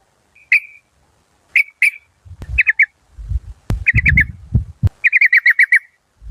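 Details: Yellow-vented bulbul, a caged decoy bird of a Malaysian local strain, described as fierce with a good voice. Clear whistled notes come singly, then in bubbly groups of three and a fast run of six, over low thumping knocks.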